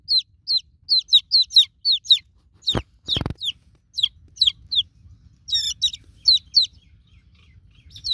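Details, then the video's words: Young chicks peep for their broody mother hen, sharp falling notes in steady series, interrupted by a couple of loud knocks and a low rumble in the background. "New Born Chicken Chicks Calling For Broody Mama Hen"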